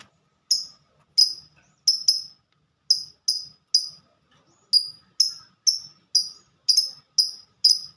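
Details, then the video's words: Lovebird of fighter type in 'ngetik' (typing) song: thin, high ticking notes in clustered runs, pairs and triplets, like rapid typing, with a brief gap midway. "Burung Lovebird Suara Ngetik Dan Sama² Fighter"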